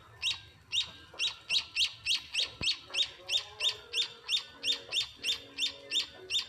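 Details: Young munias at a house beg during hand-feeding with a long series of about nineteen sharp, high chirps, close to three per second. A single click breaks in midway.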